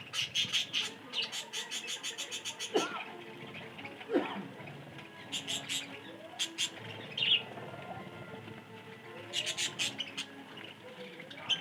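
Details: Budgerigars eating green leaves in the morning chatter with rapid buzzy clicks and bright chirps, a busy flock warble throughout.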